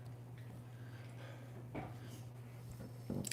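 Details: Soft chewing and squishing noises over a low, steady electrical hum in a small room, with a few faint clicks and no animal sound.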